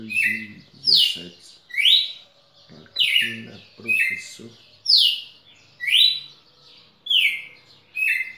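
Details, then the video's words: Pernambuco red-cowled cardinal, 10 December 2017, delivering loud repeated whistles that sweep downward, about one per second, alternating high and low pitches, while a person talks in the background. "galo campina"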